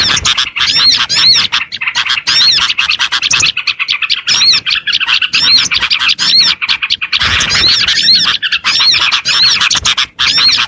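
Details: Lure audio for small birds, thick with shrill overlapping twitters, chips and repeated arched whistles, in near-continuous bursts with a few short gaps.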